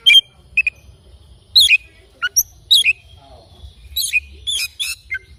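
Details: Oriental magpie-robin singing in the morning: short, clear whistled notes and sweeping slurred phrases given in separate bursts with brief pauses between them, over a faint low background hum.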